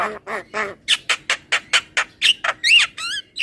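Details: Javan myna in a therapy recording meant to make kept birds sing more: quick series of harsh nasal squawks, ending in arched rising-falling whistled notes.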